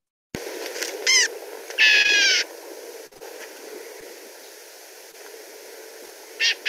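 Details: Black-capped Gnatcatcher in spring in Southeast Arizona, likely Montosa Canyon in the Santa Rita Mountains, in mid-to-upper oak and mesquite canopy. It gives a short nasal mew, then a longer harsh buzzy call ending in a brief buzz, over a steady low hum.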